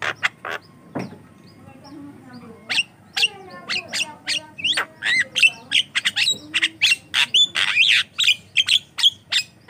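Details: Javan myna in full song, offered as a lure and model for training other mynas; varied harsh squawks, short whistles and rattling notes delivered rapidly, about three per second, in an uneven chattering stream.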